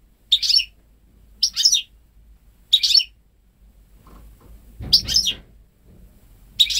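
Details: Ten-month-old goldfinch × canary hybrid, hatched May 2013 and home-bred, never exposed to male canaries and singing only goldfinch phrases: short, bright, high twittering bursts, each under half a second, repeated roughly every one and a half seconds.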